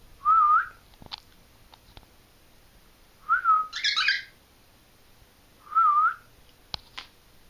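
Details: Pet cockatiels in Maine answering their owner's greeting with three short wavering whistles a few seconds apart, the middle one breaking into a harsh screech, with a couple of soft clicks in a quiet room.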